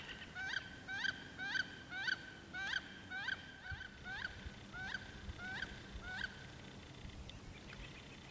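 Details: Courting wood ducks on 14 April give a rapid run of squeaky, downslurred calls, about two per second, gradually spacing out and fading, with a low steady rumble behind.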